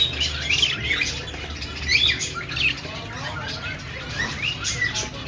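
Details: Budgerigar, also called parakeet, chirping and squawking in short scratchy bursts, with bright chirps rising and falling over a steady low hum.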